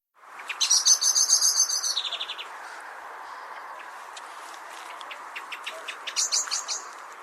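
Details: Common blackbird; alarm call; warning others of its kind of nearby danger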